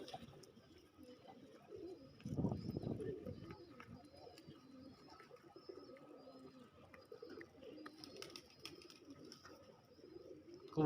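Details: Bangladeshi racing pigeon, one of two racers, gives a deep, throaty burst of cooing as it approaches while a man talks nearby.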